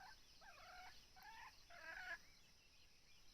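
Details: Red junglefowl crowing, recorded while hunters lure wild birds with a decoy bird; a harsh, broken three-part call of raspy harmonic bursts, fairly faint against a steady high hiss.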